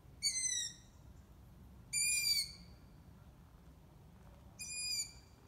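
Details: Young long-eared owls from a brood that has just left the nest, in Ermelo, recorded on an iPhone: three drawn-out, high, squeaky hissing calls about two seconds apart over a low background rumble.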